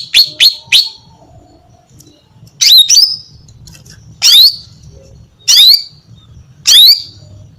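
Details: Female greater green leafbird calling to attract a mate: three quick sharp chips, then spaced single notes, each a short buzzy burst ending in a rising whistled slur, every second or so.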